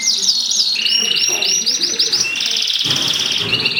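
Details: Mosaic canaries mating: loud high song of looping, upward-sweeping whistles repeated in quick series, followed by a buzzy rolled trill and a final whistled phrase.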